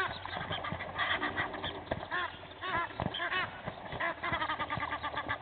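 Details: Two Egyptian goose families fight at Gowrie dam, Djuma Game Reserve, Sabi Sand, South Africa, early morning; overlapping harsh honks in bursts, with brief louder clusters.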